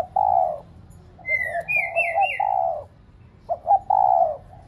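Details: Decoy spotted dove, used to encourage pet doves to coo, repeats low drawn-out coos with quick lead-in notes, while a higher whistling bird chirps several wavering notes in between.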